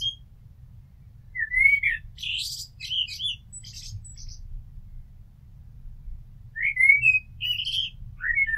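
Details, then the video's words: Amsel song recorded at a house: separate whistled phrases spaced several seconds apart, each a fluted slurred whistle followed by thin high squeaky twittering, with quiet stretches between. "Amsel Gesang - Merle Noir Chant - Blackbird Song - Mirlo Cantando"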